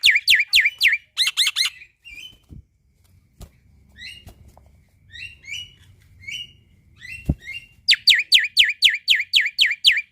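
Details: Male black-winged starling in gacor song, played to train young starlings: rapid swooping whistles and doubled notes open and close, separated by soft scattered chirps, clicks and a sharp knock, with a faint low hum.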